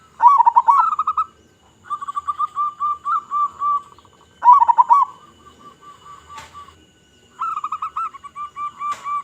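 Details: Local zebra dove from Indonesia, singing actively with a big voice as a lure: three phrases, each opening with a rich gurgled burst and trailing into an even run of short coos.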